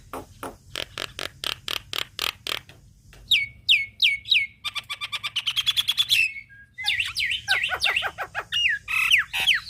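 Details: Javan myna song recorded to train songbirds: a regular run of hard clicks, then slurred rising whistles, a fast rattling stretch, and squealing, swooping notes.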